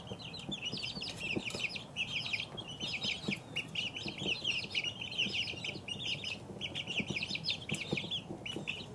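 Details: Two-week-old chicken chicks peeping continuously, many overlapping high, short descending peeps from several birds in quick succession, with faint low rustling and scratching underneath.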